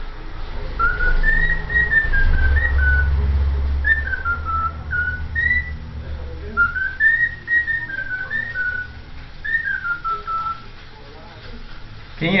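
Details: A cockatiel performs the Vasco da Gama club anthem, whistling a steady run of clear tones that climb and dip in short linked phrases, with a low rumbling background and a sharp click at the end.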